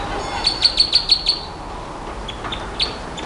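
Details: Nightingale delivering six rapid, bright, high-pitched notes at an even pace, then a pause with faint softer notes and one final sharp note, heard over steady hiss.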